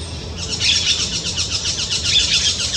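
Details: White-winged parakeet recorded in the Brazilian Amazon, giving a quick series of bright, shrill, buzzy notes that run together into continuous chatter after a brief quiet start.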